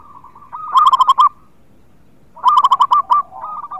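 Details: Local Indonesian zebra dove in full song, used to prompt reluctant birds to sing: two bursts of rapid, bubbling coo notes, each a quick throaty trill, with softer continuous cooing from other doves behind.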